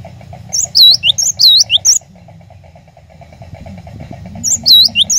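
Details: Cinereous tit singing as a lure for caged birds: a rapid run of bright, high swooping whistles, then a gap with low rumbling hum, then the whistled phrase starts again.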